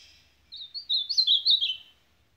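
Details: Warbled song of an ultramarine grosbeak, the fast-billed type called supapo: a run of slurred, descending whistled notes lasting about one and a half seconds, with a faint low hum.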